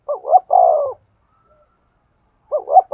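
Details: Spotted dove giving a stimulating coo to a male: two quick rising low notes run into a long falling coo, then a second of silence before the rising double-note opening starts again.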